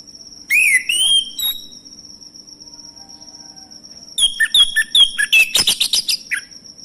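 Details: Male orange-headed thrush, a recording meant to make silent birds sing: opening slurred whistles, a quiet gap, then a fast run of short sharp notes and a varied twittering flourish, with a steady high whine throughout.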